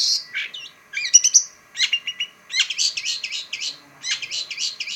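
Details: Pentet, the long-tailed shrike, singing a varied rambling song: squeaky high notes, downward slurs and rapid twittering phrases strung together in quick clusters with brief pauses.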